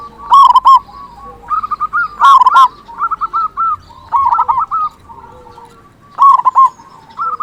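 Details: Local zebra dove, a loud, persistent singer used as a lure to make other zebra doves sing: bubbling, trilled coos around one pitch, with bursts of louder rolled notes near the start, middle and end, and softer trills between them.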